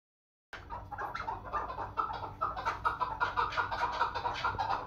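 A female chukar gives rapid, overlapping clucking chuck notes, about two per second, in a dense rhythmic run with no other clear sounds.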